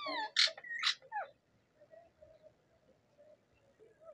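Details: Rose-ringed parakeet, a native talking parrot, giving two loud, harsh screeches followed by a short falling squawk, then quiet low chatter over faint background hum.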